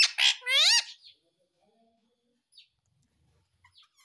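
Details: Indian ringneck parakeet vocalizing in a talking session: a few loud, harmonic, wavering calls in the first second, then near silence with small faint chirps.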